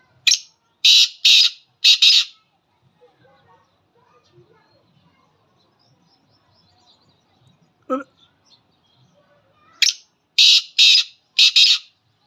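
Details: Wild black francolin calling: a loud phrase of four harsh, buzzy pulses, then about seven seconds of near silence broken by one brief low sound, then another four-pulse phrase.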